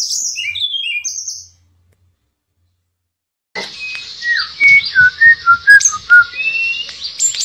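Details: Shortwing (tledekan pring) song: high, quick chirps, a two-second pause, then about six clear mid-pitched whistled notes, each under half a second, over a thin high buzzy trill.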